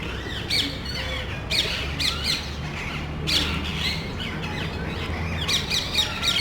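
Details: Small group of parrots in a residential neighborhood looking for nest sites in cable boxes, calling loudly almost like quarreling; repeated harsh, rasping squawks every second or so, some in quick pairs, over faint low hum.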